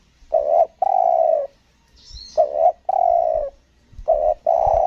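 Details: Spotted dove used as a lure bird on Lombok, Indonesia, performing the 'selang nguku gagap' song. Three phrases of a short broken double coo followed by a long, steady, husky coo, recurring roughly every two seconds.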